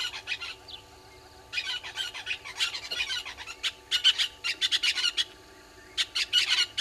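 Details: Southern red-billed hornbills beside Gowrie dam, Djuma Game Reserve, South Africa, early morning: clipped, squawky notes in quick runs, growing louder and more clustered toward the end, separated by short gaps, with a soft background hum.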